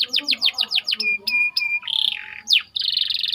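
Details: A white canary used as training bait sings a fast series of sweeping chirps, then flat whistled notes, a buzzy phrase, one sharp slur and a closing rapid trill.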